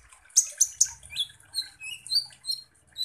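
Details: Kolibri ninja sunbird singing as a lure: three loud sharp chips, then high warbled whistles and squeaks, over a faint low rattling background noise.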